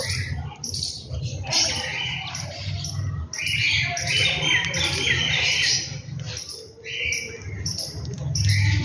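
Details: Birds heard in the morning at home, a lively mix of fast high chirps and twitters over a steady low hum.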